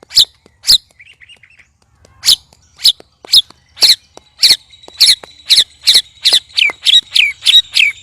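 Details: Three white-rumped shamas sparring, giving strange, loud sounds: hard sharp chips, sparse at first, then quickening to about two a second, with a faint quick trill early and thin whistled overtones.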